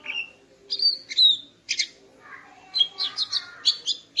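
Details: Female greater green leafbird singing at morning to arouse a male: a mix of whistled slurs and sharp chirps, followed by a quick jumble of high twittering notes.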